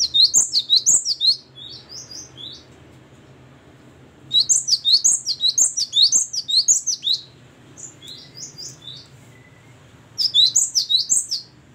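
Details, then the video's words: Gelatik batu, or Great tit, in full clear song: three bursts of rapid, piercing paired notes that slide downward, each burst a couple of seconds long and separated by brief softer phrases and pauses. "Ini baru ngeplong dan gacor burung gelatik batu"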